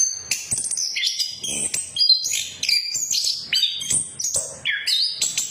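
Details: Lure recording of an orange-headed thrush for birds that stopped singing: lively varied whistles and chirps, some downslurred, in quick successive phrases with very short gaps.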